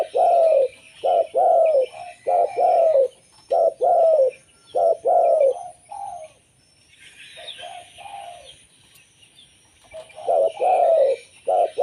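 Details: Zebra dove of a local strain, recorded to lure others, giving rapid runs of short burry coos and longer falling trills, breaking off midway before resuming, with soft higher twittering in the background.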